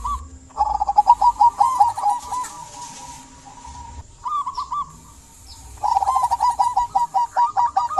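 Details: Energetic local zebra dove song used as a lure for silent doves: fast bubbling runs of clipped coos, a short separate phrase midway, then a long rapid run again, with faint higher chirps behind.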